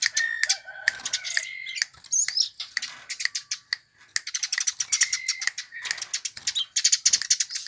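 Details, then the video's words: Eurasian tree sparrow, sought by songbird hobbyists, giving busy chirping with several steady whistled notes and a brief lull before the rapid twitter resumes. "Burung Gereja yang Banyak dicari Kicau Mania"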